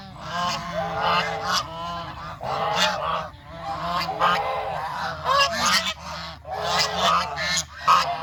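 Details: Geese walking together through farm countryside in search of food, a flock honking in overlapping bursts with harmonic, nasal calls rising and falling, several birds calling at once with short pauses between loud bouts.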